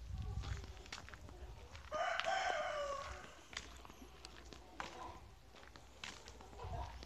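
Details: Chicken crowing at a farm: a single rough, drawn-out crow of roughly a second, then brief clucks, clicks and distant low noise.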